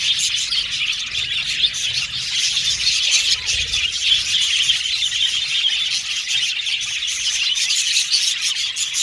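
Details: Budgerigars chirping in a long, even run of busy high-pitched twittering, many birds overlapping in continuous warbling chatter with no clear pauses.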